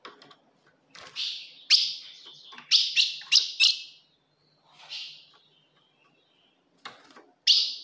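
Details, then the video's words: Ultramarine grosbeak female call used to stir a male: clustered bright chips, including a quick run of three, then a quiet pause and a final loud chip. "se o seu azulão não segura fogo de fêmea Esse é o vídeo"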